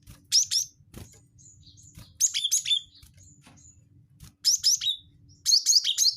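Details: Lure call of a cinereous tit, known as gelatik batu wingko: four clusters of quick, high, piercing chip notes, each group of three or four, spaced about two seconds apart, with faint soft chirps between them.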